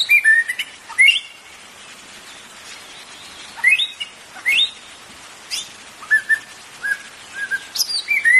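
A white-rumped shama sings varied, rich whistled phrases, some rising and some sliding, in short bursts every second or so with brief pauses between.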